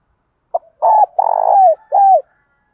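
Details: Spotted dove in the flock-calling coo used as a lure: a brief note, then a long burry two-part coo and a final downslurred coo, all low and soft.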